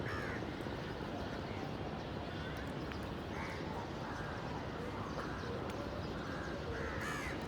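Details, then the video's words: Several crow caws in a noisy outdoor setting, hoarse bursts near the start, around three and five seconds and again at seven seconds, with constant low-pitched traffic-like rumble underneath. "Crows Cawing Natural Sounds"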